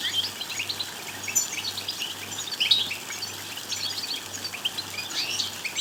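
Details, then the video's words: Goldfinch twitter track meant to push a goldfinch into strong singing. Rapid, busy chirps and buzzy trill fragments pile up continuously, one slightly louder burst near the middle, with an intermittent low electrical hum underneath. "بتبتات لتحفيز الحسون على الغناء والتغريد بصوت قوي"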